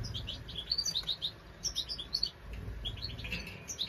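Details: Twittering European goldfinch song recorded at the nest: quick bright chirps and liquid high notes strung into rapid clusters, pausing briefly, then resuming over faint low rumble.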